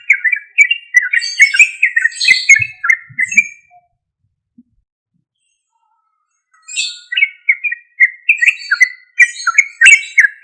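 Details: Loud, lively yellow-vented bulbul song played as a lure so other bulbuls answer at once; quick bubbling, warbling note strings for about four seconds, a silent gap, then the chatter resumes.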